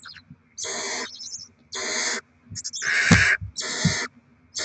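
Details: Feeding of barn owl young with rodent deliveries, 7 February 2024; repeated coarse hissing screeches about half a second long, one with a sharp click and thud inside, amid light scuffling.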